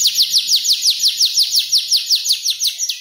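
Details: Five-month-old canary working mimicked phrases into its song: a fast trill of descending whistled sweeps, about three per second, high and bright, repeated evenly for three seconds.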